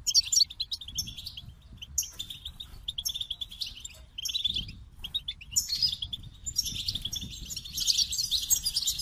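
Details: Goldfinch song: bursts of high, rapid twittering and tinkling notes with buzzy trills, delivered in short phrases separated by brief pauses, over faint low background rumble.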